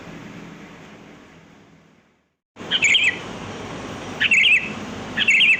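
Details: Wild sooty-headed bulbul (kutilang) singing in the open, a lure sound: after near silence, three short bright warbled phrases arrive about a second apart over faint background hiss.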